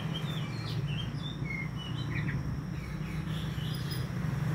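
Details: Young male white-breasted oriental magpie-robin in full song: scattered clear whistled phrases, some rising and some falling, with short chirps between, over a steady low hum of background noise.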